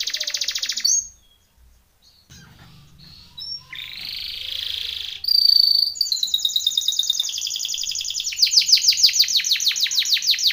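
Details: A Timbrado canary sings a training song of high, rolling trills and rapid repeated notes, about three per second, with a brief hissing burst partway through.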